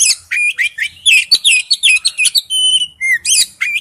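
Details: Wild-style song of an Oriental magpie-robin, a fast, dense string of bright chirps and slurred whistles, some notes bending upward, then a few clean sustained whistles before the chatter resumes.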